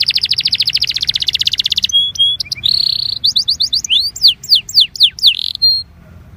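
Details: Belgian canary singing to warm up other canaries: a rapid rattling trill, then short whistled tones and a buzzy note, followed by bright rising and falling swoops, ending on a single clear whistle.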